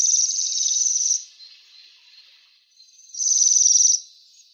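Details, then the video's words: Waxwing call: a long, high, shimmering buzzy trill, a quiet gap with faint fading notes, then a second trill of the same kind, clear and free of background noise. "Свиристель. Голоса птиц"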